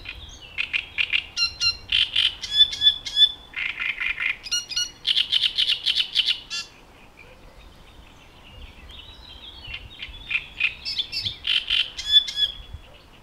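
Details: Male great reed warbler song: loud, harsh, grating phrases of repeated chirring and croaking notes in rhythmic bursts with short pauses; a grumpy, mechanical, gruff, scratchy song used in courtship and mate attraction, from reed beds.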